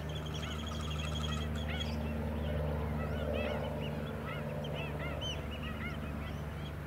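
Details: White-headed stilts in a flock on mudflats at Scarborough, Queensland, in July, giving many overlapping short, arched yapping notes, repeated rapidly, over a steady low engine drone.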